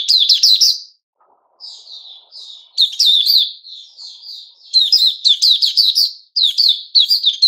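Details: Vigorous singing from a white-rumped shama on 29 August 2021: clear, ringing phrases of quick chips and slurred whistles, alternating with quieter fluted notes, with short silent gaps between bursts.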